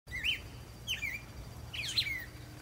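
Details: Cardinal singing from a treetop in a backyard: three short, bright, slurred whistled phrases, each rising then falling, spaced about a second apart, over a low steady background hum.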